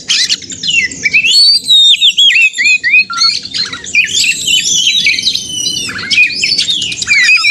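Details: Oriental magpie-robin (kacer) fighting song used to lure other kacer into singing; rapid series of clear slurred whistles and harsh chatters in dense phrases, with low background music underneath.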